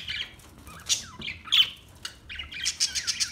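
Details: Australian budgie chattering in a fast, scratchy warble of mixed chirps and squeaks that speed into a string of repeated short notes at the end.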